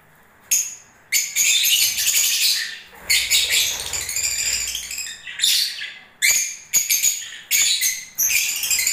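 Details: Breeding-season lovebirds producing repeated harsh chirping bursts, each lasting about a second, coming in quick succession with brief gaps and clicking taps between.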